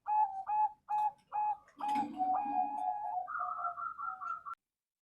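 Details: Bangkok-line male zebra dove, farm-bred in Bantul, Indonesia, giving a run of soft, evenly spaced coos that merge into a longer purring, drawn-out stretch and end on a higher sustained whistled tone before falling silent.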